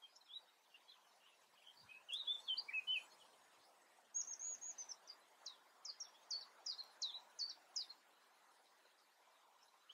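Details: European crested tit giving a few scattered high chirps, then a brisk run of about a dozen sharp, very high, downward-flicking notes repeated roughly three times a second, over a faint background hiss.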